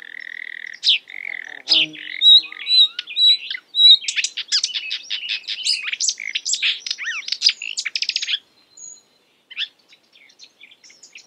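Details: Marsh warbler (Acrocephalus palustris) mimicking other birds: steady whistled notes give way to a fast, energetic chatter of varied chirps and trills, ending in a few soft scattered notes.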